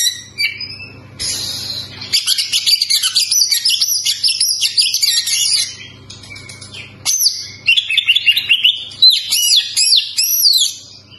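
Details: Oriental magpie-robin song played to spur young birds into singing: after a few thin opening notes, a long fast stream of looping whistles, chirps and trills, then a brief break and more arched, sweeping whistled phrases, over a constant low hum.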